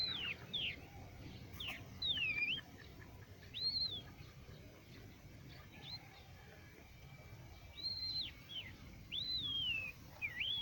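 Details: Crested lark singing in Quetta: separate clear slurred whistles, some arching up then down, others sliding downward, given every second or two with short pauses between, over a faint low background hum.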